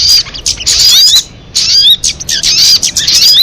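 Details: Harsh rattling chatter of a crested jay, mixed with thin slurred whistles, delivered in two long bursts split by a clear quiet pause.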